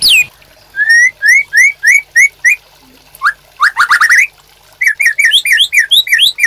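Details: White-rumped shama master song for caged-bird training: a descending whistle, a series of repeated mid-pitched upslurred notes, a rising chatter, then lively mixed high chirps.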